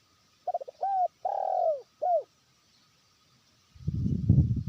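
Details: Trained decoy spotted dove calling to a distant rival: a short run of soft mid-pitched coos, a long slurred coo and a final falling note, followed by a burst of low rumbling handling noise.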